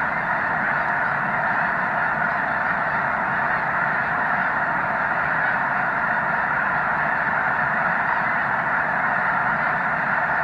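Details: Snow geese gathered in the hundreds of thousands at Loess Bluff National Wildlife Refuge on 3 March 2021 migration. Continuous chorus of overlapping yelping honks, uniform loudness for the whole stretch.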